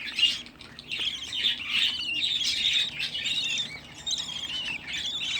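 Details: Budgerigar chicks, sixteen gathered together after being hatched and reared at home, keeping up a dense, hissy chatter of overlapping scratchy chirps that swells and fades.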